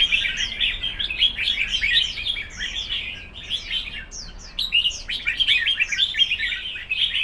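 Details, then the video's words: Red-whiskered bulbuls in a singing contest: dense, overlapping warbled and whistled phrases of quick rising and falling notes run without pause throughout, seemingly from several birds at once. "Chào mào đấu hót"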